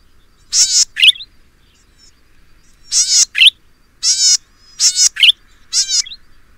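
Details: Golden-headed cisticola, an uncommon resident of a Taiwan endemic subspecies, in Pingtung County, Taiwan, 2015; bird of lowland grassland and marsh. Paired buzzy notes, a harsh rasp followed by a short rising twang, repeated about five times.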